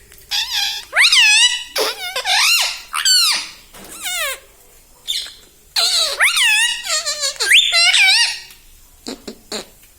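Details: Pet parrot speaking mummy and papa in imitation of its owners, producing clusters of loud, shrill, curving syllables with short pauses and some soft clicks near the end.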